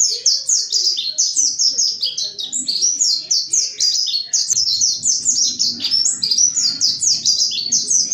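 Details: Mountain white-eye, wild forest-style singer used as a lure to make other white-eyes sing, pours out a continuous high chattering song of quick descending slurred notes, overlapping and busy, with faint low background rumble in the second half.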